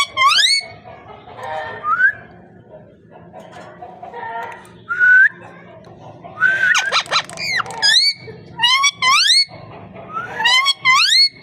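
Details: A parrot, described as talking, gives soft muttered notes at first, then a dense rattle of clicks followed by a series of strong upward-sweeping whistles repeated in quick succession toward the end.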